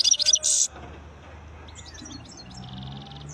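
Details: Wild European goldfinch opening with a loud, rapid twitter ending in a harsh buzzy note, followed by softer, distant tinkling notes over low background rumble.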